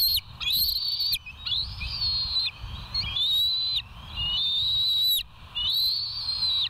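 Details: West End bald eagles on a live nature cam, morning of 1 September 2023 at 07:06: long, high, piercing whistled notes, each held about a second and repeated with short gaps, over a faint low rumble.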